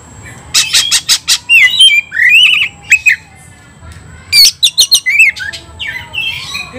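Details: Fighting song of an oriental magpie-robin meant to provoke rivals; quick series of sharp clicks, then clear slurred whistles rising and falling, a pause, and another burst of chips and twisting whistles.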